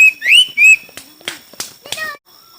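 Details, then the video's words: Contest singing of a Chinese hwamei: loud, clear rising and sliding whistles open the phrase, followed by softer scattered clicks and short notes before it falls quiet. "Coob quaj sib thib(Hoạ mi hót đấu)"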